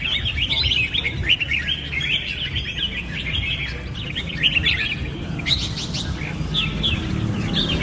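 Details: Red-whiskered bulbul pouring out dense chirpy whistled phrases, then sharper and more spaced notes near the end, against a low steady background rumble.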